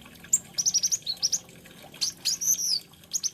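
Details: Olive-backed sunbird, called kolibri ninja or konin, delivering a quick string of high chirps followed by a buzzy, descending trilled phrase and a final pair of sharp notes.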